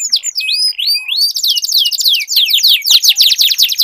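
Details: Duelling canaries singing as a lure for a canary gone quiet; rising and falling whistled sweeps open, then a rapid series of loud repeated sweeping notes, with faint clicks beneath.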